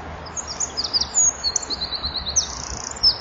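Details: Singing winter wren at dusk, 23 January 2014, at a nest-wall camera, wings flapping as it sings; high, piercing notes and rattling trills in quick phrases with short pauses.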